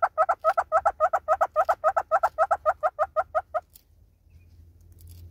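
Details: South African southern red-billed hornbill delivering emphatic repeated clucks, around four per second, that stop abruptly after three and a half seconds, followed by quiet low background noise.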